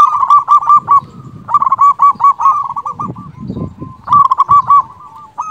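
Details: Big-voiced local zebra dove singing emotionally to summon rivals. Rapid, clipped cooing notes come in bursts with brief pauses, some phrases louder and more ringing, with faint low rumbling noise beneath.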